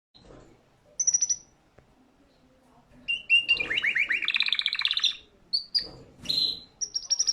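A canary sings bright, high whistles, then a fast rolling trill of rapid repeated notes. Short sweet phrases follow, with faint background noise.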